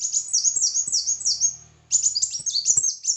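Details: Red-whiskered bulbul singing in competition, high whistled phrases rising and falling, given in quick bursts, then a short pause and a denser run of jumbled chirpy notes; faint low hum underneath.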